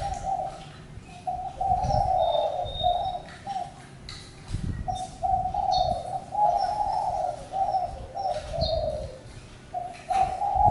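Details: Long series of hoarse spotted dove coos running almost unbroken, with scattered high chirps and whistles from other birds and low rumbling background noise.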